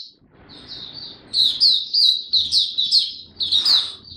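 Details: Young captive white-eye (mata puteh) singing as its song matures, 9 February 2022: after a soft, quiet start, a lively burst of shrill, slurred chirps and whistled twitters.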